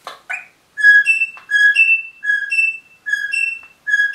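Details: Pet rosella parrot repeating a clear two-note whistle, low note then higher note, about five times in quick succession, after a brief rustling sound at the start.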